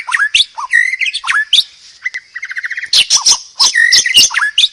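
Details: Loud master song of the murai batu (white-rumped shama): varied chirps and downslurred whistles, a short run of evenly repeated notes midway, then harsh squawky bursts.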